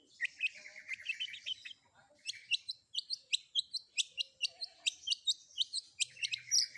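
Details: Long-tailed shrike song combining varied fill-in phrases, used as a training recording for kept songbirds: a scratchy chattering run, then a steady series of sharp, high chipping notes repeated about three times a second.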